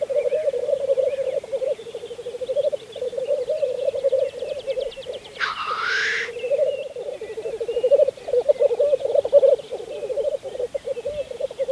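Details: Black grouse at a Saaremaa lek, Estonia, spring 2014: a rolling bubbling chorus runs throughout, broken by one loud harsh hissing sneeze lasting about a second midway, and fine rapid trills sound higher up.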